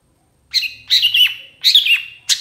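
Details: Long-tailed shrike song in full isian style: three wavering, buzzy high phrases with drawn-out, slightly falling whistles between short silences, closing on a sharp chip.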